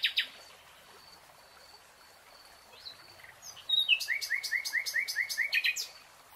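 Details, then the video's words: Forest nightingale song: a long stretch of faint steady thin whistles, then a sudden rising flourish and a fast string of bright downslurred notes repeated in quick succession. "Relaxing NIGHTINGALE song"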